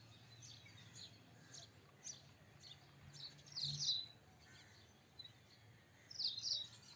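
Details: Indian robin song: faint high ticking notes, then two louder, sweet, slurred phrases about two and a half seconds apart, with a soft low rumble underneath.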